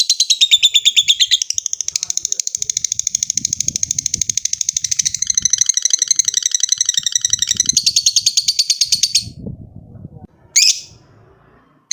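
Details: A lovebird trills long to call a rival, a dense stream of piercing high chirps lasting about nine seconds, shifting pitch midway, then silence broken by one short squawk.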